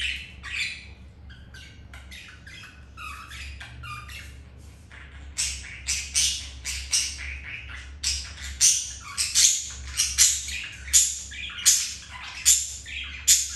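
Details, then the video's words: Pet budgerigars in a mating scene, one male mating with a female after another hen rejected him; a busy run of bright, scratchy chirps building into loud rhythmic squawks repeated about once a second, with a low steady hum underneath. "Budgies mating"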